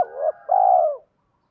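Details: Spotted dove used as a decoy, cooing to lure wild doves closer: a brief wavering note, a short gap, then a long smooth coo that sinks at the end, over a faint steady high tone.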